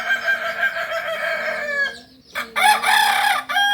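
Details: Solok's native singing chicken, the Kokok Balenggek, at a breeding farm in Solok city: one long, rich, steady crow held almost two seconds, a short gap, then a second loud crow breaking into wavering syllables.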